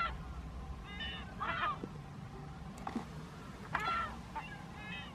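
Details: Calls from California gulls at Owens Lake near Lone Pine, California: several nasal, bleating notes given at irregular intervals, some with a sharp rising onset, over a constant low background rumble.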